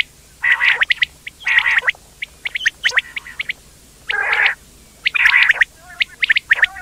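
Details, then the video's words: Quail producing buzzy, churring bursts of about half a second, separated by quick high chirps and short pauses, roughly one burst per second. "quail sound effect/quail bird sound/quail sound effect video/indan quail bird sound/ batair ki Awaz"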